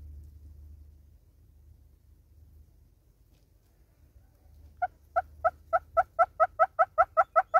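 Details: Southern red-billed hornbill singing in South Africa. Nearly five seconds of low rumbling background come first. Then a series of hollow clucks starts as single notes and quickens steadily, growing louder and more emphatic to about three notes per second.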